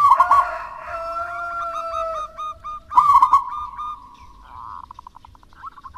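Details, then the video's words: Local wild zebra dove singing actively, used to prompt lazy doves to sing: loud rolling, throaty coo phrase near the start, repeated about three seconds later, with fainter short coos and a longer drawn note between. "Perkutut Lokal Alam Gacor Untuk Pancingan Perkutut Malas Bunyi"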